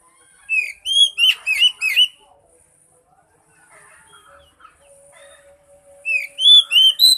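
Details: Oriental magpie-robin singing as a lure for a silent bird. A burst of bright, slurred whistles opens the clip. A quiet stretch with soft chatter and a faint low tone follows, then another loud run of whistles.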